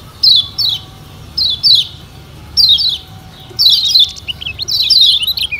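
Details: Lombok yellow white-eye song played as a lure to set caged birds singing: paired high descending chirps in short bursts about once a second, ending in a denser twittering run.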